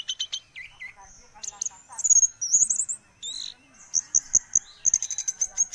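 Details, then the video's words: Orange-headed thrush singing a mix of sharp clicks, short whistles and thin, very high trilled notes repeated in quick bursts, with ticking sounds between phrases. "Kumpulan kicau anis merah"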